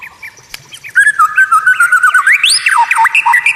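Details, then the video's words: White-rumped shama, caged, masteran tutor song: after quiet opening, a loud sustained whistled tone breaking into fast choppy notes, then high sweeping upslurs and downslurs. "Masteran murai batu Suara Aneh unik langka"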